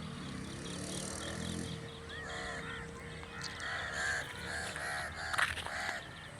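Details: Natural crow sound: a crow gives several harsh, arched caws in a loose series, over a steady low hum and background noise.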